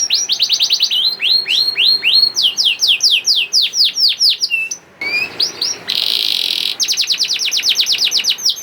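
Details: Lure song of a young canary, used to prompt other canaries to sing: a long series of rapid downslurred whistles, a brief pause, a harsh buzzy burst, then a fast, even trill.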